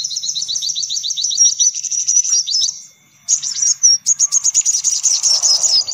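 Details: Sunbird lure: an evenly paced series of high chirps, then a short silence, then a burst of sharper, louder twitters and ticks.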